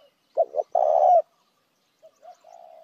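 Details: Call of a spotted dove used to attract other doves: a double note and one long rough coo, then a faint softer series of short and drawn-out coos.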